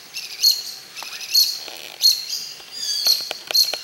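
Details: Indian white-eye in the Western Ghats forest of India, giving high, thin chirping notes in short bursts about every second, some notes slightly buzzy, with faint background forest sounds.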